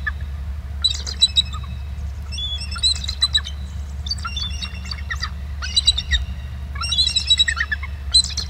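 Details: Pair of eagles giving trills from BST at 10:51 on March 8, 2018 before both fly off over the camera, very close: loud, squawky chattering runs repeated every second or two above a constant low drone.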